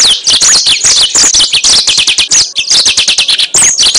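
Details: Yellow-fronted canary lure song, an intense unbroken jumble of very high, quick twitters and trills with slurred whistled notes, one short break near the end.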